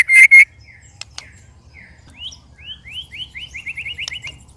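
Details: Two loud whistled blasts from a white-rumped shama, one of three sparring birds, then a quieter, speeding series of short upslurred whistles repeated about four times a second.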